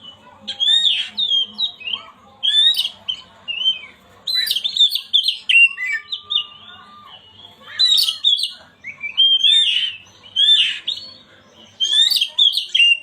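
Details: Oriental magpie-robin song meant to wake a silent bird into singing: regular bursts of whistled notes topped with harsh buzzy squeaks, about every one to two seconds, over a faint hum.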